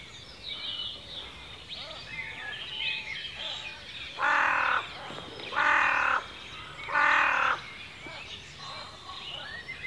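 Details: In ancient Cornish woodland, UK, a chorus of high chirps and warbles is broken by three loud, hoarse, caw-like calls about one and a half seconds apart.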